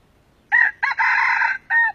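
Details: An old wild red junglefowl, caught with a decoy, crows in three harsh, ringing bursts: a short note, a longer drawn-out middle, then a short closing note, all within two seconds.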